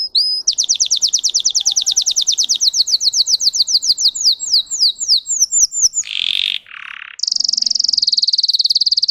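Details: High, fast canary trill of sharp repeated strokes from a Russian singing bird, slowing into buzzy slurs, then two short harsh buzzes and a fresh, very rapid trill.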